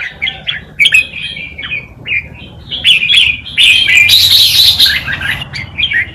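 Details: Tutor red-whiskered bulbul in wild Malutin song style, played to teach young birds; short downslurred chirps giving way to a loud sustained rich warble, then clipped closing notes.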